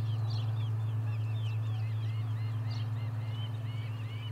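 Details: Osprey at the Charlo nest on 30 July 2020, with the third fish delivery of the day: rapid series of short, high, squeaky chirps, some rising and some falling, over a steady low electrical hum.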